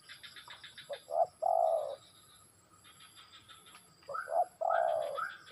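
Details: Spotted dove song: low mellow coos, two short notes followed by a long drawn-out coo, phrase given twice with a pause between, over soft chirping of small birds and a steady high-pitched hiss.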